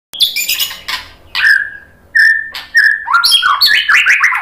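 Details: White-rumped shama song used as a lure to make birds answer and sing: varied whistled phrases near mid-high pitch, mixed with harsh buzzy bursts and quick chattering notes, ending in a rapid run of falling slurred whistles.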